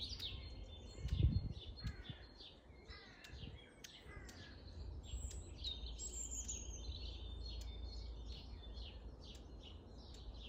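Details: Flock of long-tailed tits in Grunewald, 20 March 2021, giving a busy stream of high, thin twittering notes and short sliding chirps, many overlapping, with a low outdoor rumble and a knock early on.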